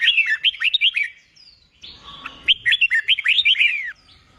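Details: Red-whiskered bulbul in training for song contests, singing two quick runs of clear, bouncing whistles that swoop up and down, with a brief buzzy note between phrases.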